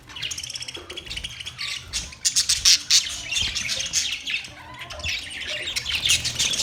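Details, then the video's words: Budgerigar chirping: rapid, high, rattling chatter and squeaky notes, strongest in a burst of sharp squawks near the middle, then continuing as steady, busy warbling. "Budgies birds chirping sounds Budgies parrot sounds"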